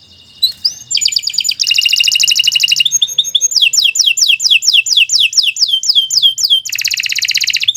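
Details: Canary in long 'gacor' singing: varied high trills, a run of sharp descending whistled notes, and closing rapid buzzy rolls, all loud and unbroken.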